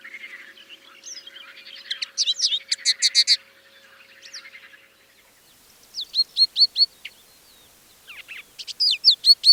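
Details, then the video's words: Crested Lark in the Manych area in April, weaving imitations of other birds into its song: an opening stretch of scratchy chatter and rapid trills, a pause, then bouts of short, sharp repeated whistled notes; faint buzzing of other birds behind. "В голосе хохлатого плагиатора слышались мотивы разных птиц. Например, тут он неплохо скопировал песню «Коноплянки»."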